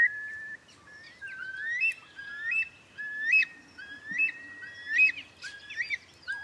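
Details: Eurasian curlew calling in a series of rising, slurred whistles, repeated roughly every second, some with upward-flicking ends, over faint outdoor background hiss and other soft bird notes.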